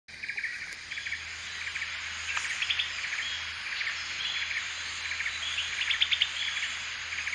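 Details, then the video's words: Grey-bellied bulbul at Thaleban National Park, Satun Province, Thailand: short, chirpy mid-pitched notes in loose bursts against a steady high insect hiss and a faint low hum. "Grey-bellied Bulbul"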